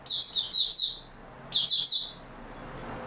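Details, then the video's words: Oriental white-eye (Mata Puteh) in stable singing form, February 2022: two high, rapid twittering phrases of tumbling slurred notes, then a quiet pause with faint room hum. "Mata Puteh Raja Video 1 buka sing stable form 28022022"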